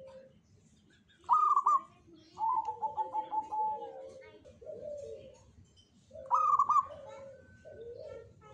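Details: Zebra dove, local bird, singing in the jogoboyo style: loud trilled coo phrases followed by a series of rapid pulsed notes and lower hollow tones, the phrase repeated after a pause.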